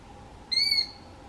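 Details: Male Knysna woodpecker giving one call while probing for insects and larvae under bark and lichen in a large tree: a single harsh, high, squeaky call about a third of a second long, fairly level, over faint hiss.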